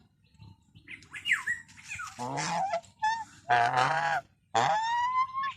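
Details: Geese calling at close range, loud harsh honks with rich stacked harmonics, several blasts about half a second long, some rising, overlapping with shorter squeaky and nasal calls, slight background hum.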